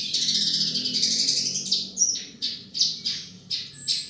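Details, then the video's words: Australasian bushlark (Mirafra javanica), a field bird admired for its song, starting with a sustained high buzzy trill, then giving separate short bursts of notes, some with thin whistles, about twice a second. ""BRANJANGAN" BURUNG SAWAH BERSUARA EMAS"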